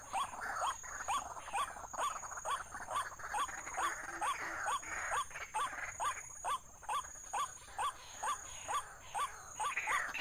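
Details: Bird-trapping scene with a white-breasted waterhen (buburak) calling: a long, fairly even series of short rising notes, about two each second, with steady high-pitched hiss behind.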